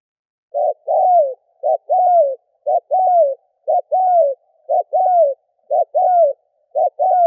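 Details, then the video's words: Spotted dove decoy call used to lure wild doves: low cooing phrases, each a short note followed by a longer descending coo, repeated about once per second in a steady rhythm against a silent background. "Cu mồi kèm || Tiếng chim cu gáy kích bổi nhanh nổi"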